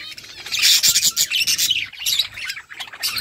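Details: Chirping budgerigar flock at feeding time: a bright, buzzy wall of high twittering with quick warbles, swelling and dipping in short waves, plus faint low rustling.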